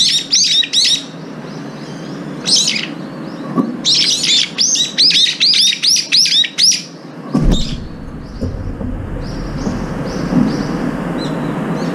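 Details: Up to five Brown-eared bulbuls gather at morning food, sometimes sharing and sometimes pecking each other away. Loud, shrill, arching calls in rapid bursts, clustered between two and eight seconds, with quieter calls after.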